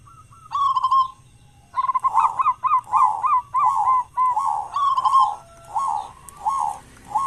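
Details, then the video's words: Local zebra dove used as a morning and evening lure for other doves. Strong, throaty cooing notes repeat in a steady, rhythmic series, with a rolled phrase opening the clip. "perkutut lokal gacor suara besar buat pancingan diPAGI dan sore"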